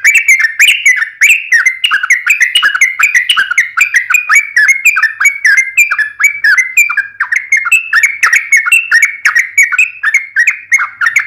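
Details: Sooty-headed bulbul pouring out unbroken gacor tarung ngalas ropel song: an endless fast stream of bubbly, slurred whistled notes, several each second, steady and loud throughout with no pauses.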